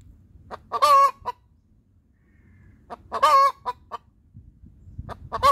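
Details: A hen sings her laying song after laying an egg, loud harsh cackles introduced by brief clucks, with a low murmur in the background.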